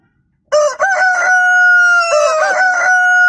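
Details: Chicken giving a loud, drawn-out crow: a clear, ringing tone held steady for nearly three seconds after a sudden start, with a stuttering break near the beginning and a warbling waver near the end.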